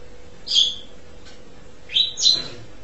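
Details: Asian pied starling uttering a few short, sharp whistled notes, one single and then a close pair, against a quiet background with a low steady hum.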